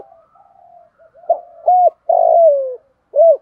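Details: Decoy spotted dove calling to attract wild doves: faint low murmuring coos, then two short hoots, a long coo sliding downward, and one more hoot, with no other sounds.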